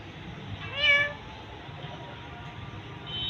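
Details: A pet parrot, possibly an Indian ringneck, gives a single brief, nasal, speech-like word that rises then falls, over a faint background hum; it talks in Hindi/Urdu, repeating "Mitthu".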